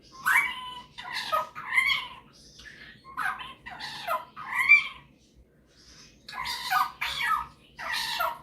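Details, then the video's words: Pet male superb parrot indoors, singing and mimicking; harsh, raspy chattering squawks come in bursts of about a second, separated by short quiet gaps. "Superb Parrot Malibu showing off his singing and mimicking skills"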